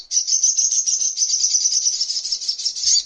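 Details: Continuous shrill buzzing trill, high and unbroken for about three seconds, from a sogok ontong (little spiderhunter), recorded as tutoring material for songbirds.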